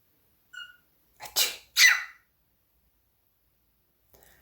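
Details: Pet cockatiel copying its owner's sneezes and coughs: a short clear whistle, then two loud, breathy, sneeze-like bursts about half a second apart, followed by quiet.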